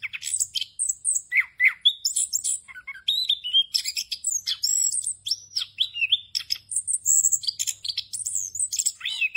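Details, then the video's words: Orange-headed thrush in full ngerol song for tutoring young birds, rich in fill phrases: sharp chips, drawn-out high whistles and descending slurs follow each other rapidly, with a faint hum in places. "ANIS KEMBANG NGEROL FULL ISIAN"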